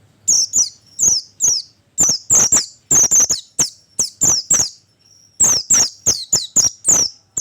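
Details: Oriental white-eye call used as a lure to attract birds: high, thin descending chirps in quick pairs and triplets, separated by short pauses, with a faint low hum beneath.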